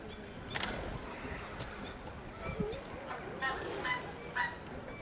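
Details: Blue-winged Goose at Slimbridge giving short, nasal honking notes in a loose series of four or five over a steady background hiss.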